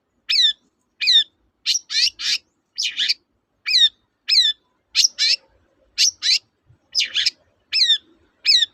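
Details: Long-tailed shrike, a lure recording meant to provoke reluctant birds into singing: harsh, buzzy notes with stacked overtones, given singly or in quick pairs about every half second, some sliding downward, with no other sounds.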